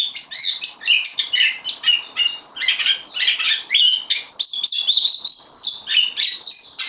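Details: Newly arrived bulbul on loan in a cage, recorded 12 September 2020, keeps up continuous rich warbling of tightly packed, varied bright notes without pause.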